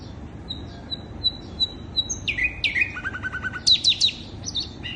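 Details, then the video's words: Sikatan londo flycatcher song used to attract birds: a row of short even whistles, then downslurred notes, a quick low trill and loud sweeping high whistles. "Pancingan burung sikatan londo"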